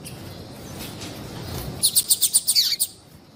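A female yellow-bellied seedeater gives a quick burst of about eight high, thin chips in one second, the last notes sliding downward, over faint background hiss.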